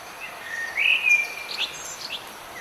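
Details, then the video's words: A bird sings through the rain, a whistled note rising into a warbling phrase and then several quick high chips, all over a steady hiss of rainfall. "Bird Singing in the Rain"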